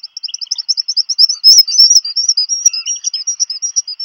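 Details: On 27 June 2020 at Seal Island National Wildlife Refuge, Maine, a brooding Black Guillemot in its burrow perks up on hearing its mate arrive with food for a chick. It gives a fast, continuous twitter of thin, high whistles with brief louder squeals.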